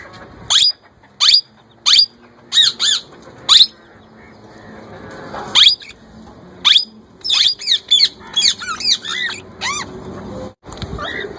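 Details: Young male plum-headed parakeet practising talking and mimicking a ringneck parrot's voice: shrill downward squawks roughly every half second, giving way to a rapid, warbling run of looping, chattering notes before a brief rustle.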